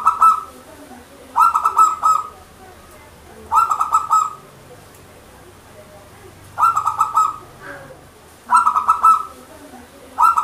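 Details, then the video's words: A local zebra dove, used as a trapping lure, sings short, bubbly phrases of rapid soft coos, each under a second long, repeated about every two seconds, against a quiet background. "Perkutut Gacor PANCINGAN PERKUTUT LOKAL juara pikat perkutut lokal gacor"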